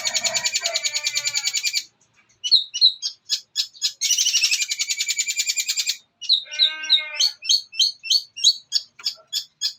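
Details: A young cendet, or long-tailed shrike, gives its master song with gereja, petir, armagendon and kuntilanak fillers: dense buzzy rattles alternate with bursts of sharp, high chips and brief silent gaps.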